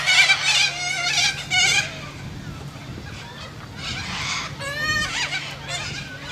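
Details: Australian white cockatoos, described as very noisy, giving harsh, raspy screeching calls in loud bursts for almost two seconds, then quieter rough squawks repeating, over a steady low hum in the background.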